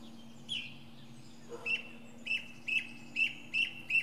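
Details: Perched atop a pine tree, a northern mockingbird runs through its many sounds. A single note is followed by a steady series of six bright, chirpy notes, evenly spaced at about two per second.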